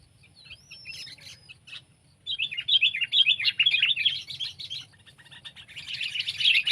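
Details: Sooty-headed bulbul, kept or wild birds compared: a thin rising whistle, then dense bubbly chattering phrases around the upper-middle range, a pause, and another loud burst of tangled chirps at the end.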